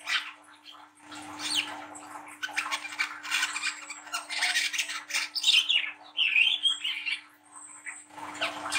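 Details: Young spotted brown-throated sunbird singing harsh, rough chatter used to encourage young birds to sing; long scratchy passages with a few brief high twisting whistles, a low hum and faint rustling underneath.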